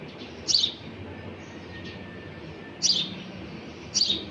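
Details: A sparrow chick calls for its mother, who has arrived with food, with three bright, high, brief chirps separated by pauses of over a second, against faint steady background noise.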